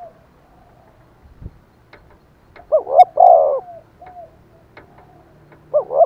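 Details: Spotted dove decoy cooing keenly to tempt wild doves to call back: faint soft notes, then a loud hollow phrase of a short note and a long rolling coo, and another phrase starting at the end.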